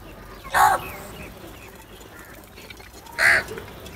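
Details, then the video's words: Crow sounds from crows competing for food: two short, hoarse, nasal caws about two and a half seconds apart, with quiet background hiss between them. "Crow sounds | کوے کی آواز"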